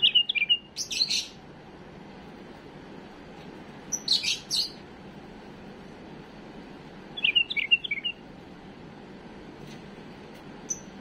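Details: Household bulbul with a faultless song for schooling young birds: short bright warbled phrases of rising and falling whistles, each paired with a harsh burst, repeated with gaps of several seconds, low hiss throughout.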